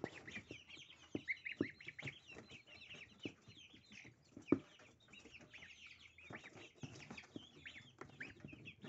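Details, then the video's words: Little goslings eating dill for breakfast: many overlapping high, short peeps, some rising and some falling, mixed with sharp pecking and clicking noises and occasional louder knocks. "завтрак маленьких гусят - укроп. Breakfast of little gosling dill. Desayuno de pollitos eneldo."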